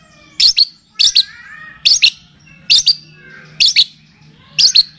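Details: Long-tailed shrike (cendet or pentet) song for tutoring and luring: paired sharp, high chirps repeated about once a second, with faint soft warbling between them.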